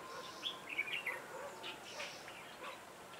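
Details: Decoy red-whiskered bulbul singing at a trap to attract wild birds: a quick run of bright, warbled whistles in the first second, followed by softer, scattered notes against hissing background noise.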